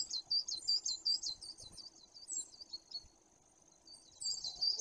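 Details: A great tit in Bory Tucholskie forest, Poland, on 2 September 2022 gives a rapid, high, chattering run of sharp notes, trails off into quieter ticks, then bursts back in after a pause over a faint low hum.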